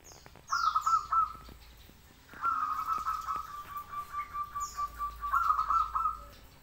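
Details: Local zebra dove singing frequently: a short pulsed cooing phrase, then a long drawn-out coo breaking into a string of rhythmic pulses and ending in a bubbling flourish; thin high downslurred whistles from another bird nearby.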